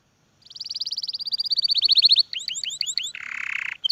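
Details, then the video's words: Canary song opening with a long accelerating trill of crisp high pulses, followed by a few looping swoops and a brief harsh buzzy phrase. "the most beautiful voice of the canary"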